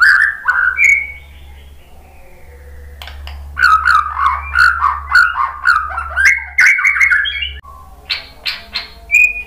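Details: White-rumped shama song intended to provoke another bird to sing: a few whistled notes, a quiet spell with low hum, then a dense run of rich varied whistles and chips, ending with a short whistle.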